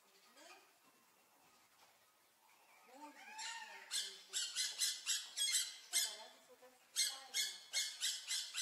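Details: Blue-naped parrot, a medium-sized green parrot with a large candy-colored beak and light blue nape, giving a run of harsh, broadband squawks at about two or three per second after softer whistled notes.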